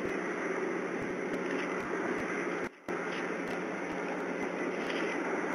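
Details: Steady broadband hiss and rumble with faint regular clicks and a brief dropout to near silence midway, with no animal voice.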